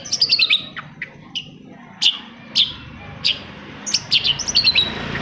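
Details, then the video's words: Long-tailed shrike song meant to coax silent shrikes into singing: a fast run of descending high notes, then scattered sharp chips and a closing flurry of rapid trills. "TOETAN BURUNG CENDET INI COCOK BANGET UNTUK MENAIKKAN EMOS1 CENDET YANG MACET AGAR MAU BUNYI"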